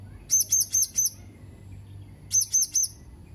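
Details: Blue-crowned hanging parrot, recorded 31 March 2021: a burst of four shrill, thin squeaks, a pause of over a second, then three more, high and clipped, against soft low hum.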